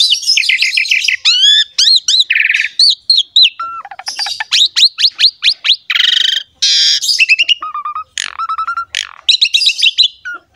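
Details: Long, varied Asian pied starling song meant to encourage a captive bird to sing: fast rising whistles, dense clicking runs, buzzy bursts and short low fluty notes, nearly continuous throughout.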